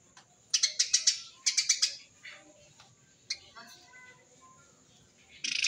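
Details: Eurasian tree sparrow giving a tight, rapid 'tembakan' chirping used as a lure for wild sparrows: two quick bursts of harsh high chirps, four or five notes each, then scattered softer chirps and a final buzzy burst.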